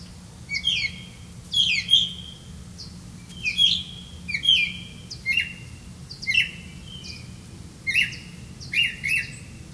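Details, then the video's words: Grey-capped greenfinch feeding young on caught crickets; loud paired chirps, a sharp note then a drawn-out buzzy trill, repeated about every second in a regular series. "Grey-capped greenfinch Birds, Catch a Crickets for your child to eat"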